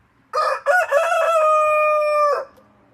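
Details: A single loud rooster crow in the morning, opening with two or three quick broken syllables and stretching into a long, level, ringing final note lasting over a second, against near silence.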